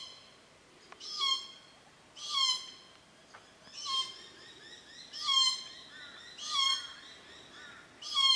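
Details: Glossy black cockatoos at a feeding ground and nursery on a property at Cootharaba. They visit each year between June and September, arriving at 4.30pm to feed on Casuarinas. Drawn-out, wavering, harmonic calls repeat about once a second, seven in a row.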